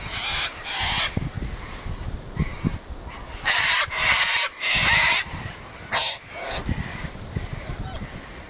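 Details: Sulphur-crested cockatoos at their usual gathering place let out raucous screeching and squawking, a series of loud, rasping calls of varying length, some paired and some drawn out.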